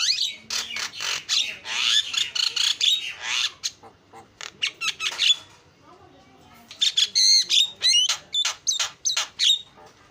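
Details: Javan myna in full song, a rapid chattering performance: loud harsh squawky bursts mixed with sharp whistled notes and clicks, a dense run of chatter, a short pause, then a second run of quick clipped whistles and rasps.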